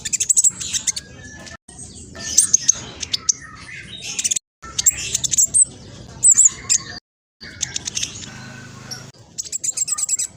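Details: Lively, noisy song of a spotted black sunbird used as a lure for other birds; bursts of high rapid chirping and trills broken by several abrupt silences.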